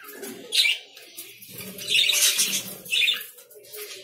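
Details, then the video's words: Lovebirds give three bursts of shrill, scratchy chirps over about four seconds, above a soft, steady low humming background. "Love birds sounds"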